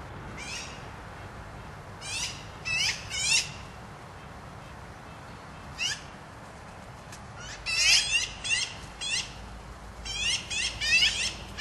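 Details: Black-billed Magpies, members of the crow family, calling out with harsh, raspy chattering notes in short bursts of two to four, spread irregularly across the stretch, with louder clustered series near the end over a steady low background rumble.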